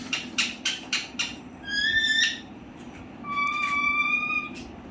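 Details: Parrot in a talking-bird recording gives a few rapid clicks, then two long, clear, level whistled tones, the second one lower and held for over a second, with a low steady hum behind.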